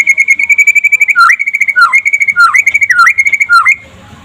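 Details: White-rumped shama (murai pastol) in daytime song, used as a master recording to prompt other shamas: a steady buzzy trill on one pitch, then a run of whistled notes that each dip sharply and return, ending abruptly.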